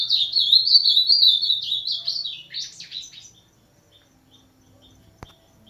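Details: Ultramarine grosbeak delivering 'máquina' style song, a rapid run of bright, high whistled and slurred notes for about three seconds that grows scratchier before fading, followed by quiet soft ticks and a single sharp click.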